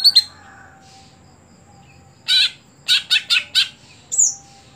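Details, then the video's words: Greater green leafbird: two quick chips, a pause, then a loud burst and a run of four sharp high chirps, closing with a single downslurred whistle. "Ketika Cucak Hijau Sudah Tidak Jalan Gantangan"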